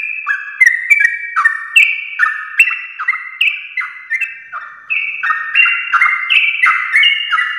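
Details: Long ropel song of sooty-headed bulbul at morning, meant to stir other bulbuls into singing; layered whistles jumping between high and lower pitches in quick succession, with a brief dip in loudness midway before resuming.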